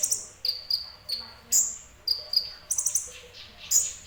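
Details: Sunbird, known as kolibri ninja, in semi-gacor song: piercing high chirps alternating with thin descending whistles, repeated roughly every half second in lively, uneven bursts.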